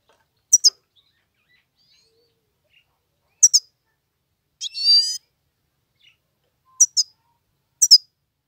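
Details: Himalayan goldfinch song: crisp high chirps in quick pairs, repeated several times, with one buzzy, wavering note in the middle. The background is otherwise quiet.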